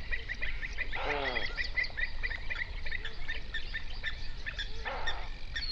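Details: Flamingos crowded on a lake in South Africa's Overberg region, recorded in 3D binaural. Two loud, rasping honks with falling harmonics stand out about four seconds apart, against a continuous chatter of quicker calls from the flock.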